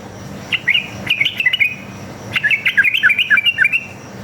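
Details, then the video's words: Sooty-headed bulbul (trucuk) lure song meant to make other birds reply: two bursts of quick bubbly whistled notes, the second longer and tumbling up and down, separated by a short silence. "PANCINGAN trucuk gacor ngalas tarung ropel ini paling ampuh buat masteran trucuk agar nyaut bunyi"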